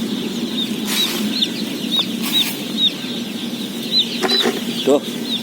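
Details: Day-old chicks at feeding, part of a 17,000-bird flock. Individual bright, down-slurred peeps stand out from the high chorus, with scattered clattering and knocking noises and a low crowd rumble throughout.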